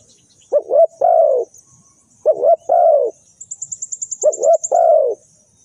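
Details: Spotted dove used as a trapping lure, calling three times in a steady rhythm: each phrase is a doubled coo and a long falling croo. A rapid series of thin, high ticks runs beneath the third phrase.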